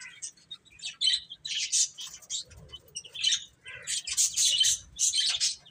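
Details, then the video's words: Baby chickens at food and play chirp in scattered high bursts that build into a thick, lively chorus of peeps toward the end. "Baby Chicken Chirping Sounds"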